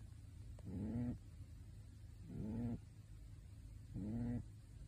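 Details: Asleep in its bird suit, a pet pigeon gives three evenly spaced snores: short, throaty, upward-bending breaths, each about half a second, separated by quiet stretches.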